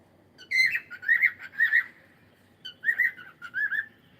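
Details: Captive cockatiel repeating clear, slightly rising whistled chirps in two quick runs of three or four notes separated by a short pause, with a quiet indoor background.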